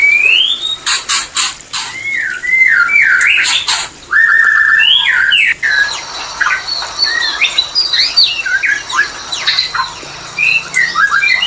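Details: White-rumped shama mating call meant to bring birds into breeding condition: clear rising whistles and looping warbled notes, then a quicker scattered series of high chirps and twitters, with brief gaps between phrases.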